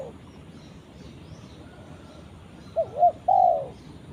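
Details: A spotted dove calling its companion gives a single low cooing phrase near the end, two short notes and a longer drawn-out coo, after several seconds of faint background noise.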